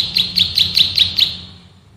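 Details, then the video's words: Prenjak sawah, the bar-winged prinia, used as a master for training birds: six crisp, high, sharply accented chirps in quick succession, then the last note fades away. "MASTERAN BURUNG PRENJAK SAWAH GACOR, NGEBREN TEMBAKAN RAPAT SUPER ISTIMEWAH"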